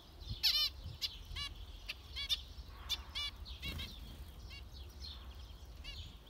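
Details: Zebra finches calling intermittently, nasal beeps loud at first then softer and scattered, over a quiet background.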